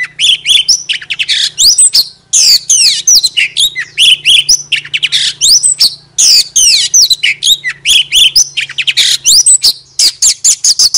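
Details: Lure-type Oriental magpie-robin in full song: dense, rapid phrases of high whistles, descending sweeps and harsh chattering notes, bursts separated by short gaps, with a faint low hum underneath.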